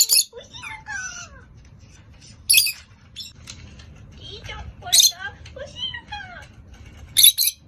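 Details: Three pet rosy-faced lovebirds calling back and forth to each other, each voice slightly different; loud sharp shrieks roughly every two to three seconds between softer descending chirps and squeaks, with faint background music.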